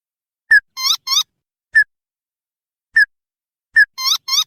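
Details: Tututan (sintar padi, red-headed) calls used as a lure to make wild birds answer: sharp short whistled notes alternating with paired squeaky, rising harmonic-rich chirps, repeated at irregular intervals with silence between, clean recording.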